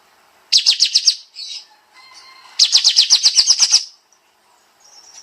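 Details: Sooty-headed bulbul in tembak style: two volleys of fast, high staccato chirps, the second with about ten rapid notes, plus a soft buzzy note and faint, thin tones between them.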